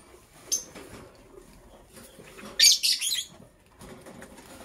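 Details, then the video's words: Green and blue lovebirds, caged, preparing for egg laying: a short shrill chirp, then a burst of harsh high screechy chirps near the middle, and a few faint chirps at the end. "Green and Blue Lovebird Chirping Sounds - Preparation for Egg Laying"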